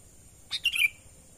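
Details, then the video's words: Natural lure call of a sooty-headed bulbul, used to attract wild birds: one quick phrase of a sharp piping note followed by a bubbly, slightly descending warble, over a constant faint high-pitched whine. "pikat burung kutilang suara alami"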